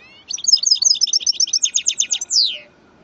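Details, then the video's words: Goldfinch × canary hybrid, male goldfinch crossed with female canary, singing a rapid high twittering phrase of repeated trilled notes that ends in a downward-sweeping slur, clean recording. "هجين حسون"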